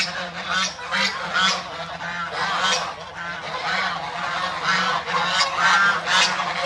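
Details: Several white domestic ducks call over one another in harsh, nasal honks and quacks, about two a second, with no quiet between them.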